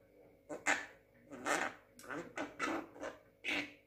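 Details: Six-month-old Javan myna talking, copying human speech in a small room: a string of short, voice-like syllables and harsh chatter, about one every half second, with quiet gaps between.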